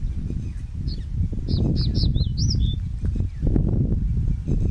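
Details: Male crested bunting singing in Shakambhari, Rajasthan: one quick phrase of short, sharp, sweet notes that ends in a falling slur. Low wind rumble runs underneath throughout.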